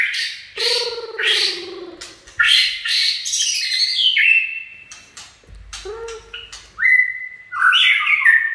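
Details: Loud 'chạy cầu' singing by a white-rumped shama: harsh rich warbled phrases with low harmonics, rapid mixed notes, then a steady whistle and sliding flourish, with a short low thump midway.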